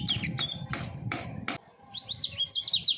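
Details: Three-year-old common iora kept in a cage for songbird contests, in full-speed double-voice song: a brief whistled flourish, four sharp knocking clicks, then quick wavering whistled notes rising and falling over low rumble.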